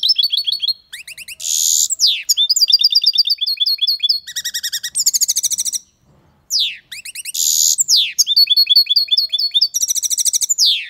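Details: European goldfinch singing loudly: fast tinkling, twittering phrases of repeated high notes, buzzy trills and rapid liquid runs, broken by a short pause near the middle, with no other sounds heard.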